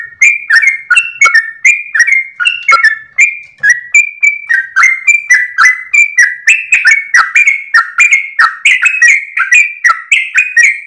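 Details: Energetic dawn song of a tail-wagging Sooty-headed bulbul, long 'ropel' style meant as a training model for cage birds: continuous rapid whistles and chirps, rising and falling, growing slightly brighter and busier toward the end.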